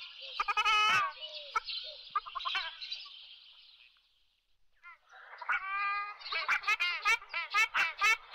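Ruddy shelducks give loud, nasal, goose-like honks in quick overlapping bursts, a short lull, then a fresh run of harsh braying calls.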